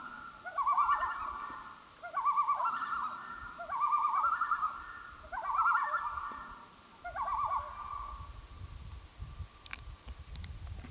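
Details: Common loon calling on Gavia Lake in 2011, a run of five wavering, yodel-like tremolo bursts about every one and a half seconds, then quieter lake ambience with a few faint clicks.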